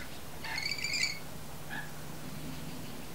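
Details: A pair of rainbow lorikeets on a window sill just before sunset, bonding by regurgitating food for each other; one harsh, buzzy screech lasting about half a second, then a short rasping note.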